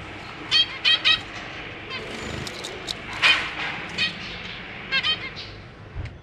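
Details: Zebra finches in a cage, a pair with three juveniles and three newly hatched babies while the parents are busy feeding their young: short nasal chirps in quick clusters of two or three, separated by quiet gaps, over steady low background hum.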